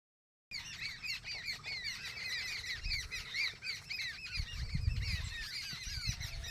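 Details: Village bird calls: a dense chorus of many overlapping short, arched squawking notes repeated rapidly, with low rumbling background noise that grows louder in the second half.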